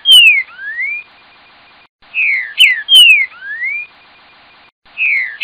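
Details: Green-winged saltator singing the tel tel fiu boi song style: a short phrase of clear whistled notes, falling slides then a rising slur, repeated about every three seconds with brief pauses, on a quiet background.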